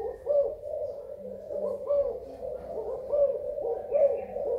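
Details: Thailand spotted dove, 24 February 2019, cooing steadily in low soft notes, a string of rounded coos with slight rises, over a quiet low hum.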